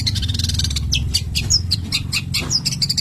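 A long-tailed shrike pours out a fast, scratchy run of chattering and squeaky high notes without pause, over a steady low rumble.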